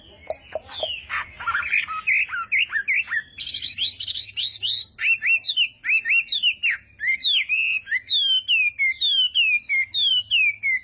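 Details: Chinese hwamei at morning singing practice, a long energetic song of sweeping, slurred whistles, repeated downslurred notes in steady series and varied phrases, with a faint low hum beneath.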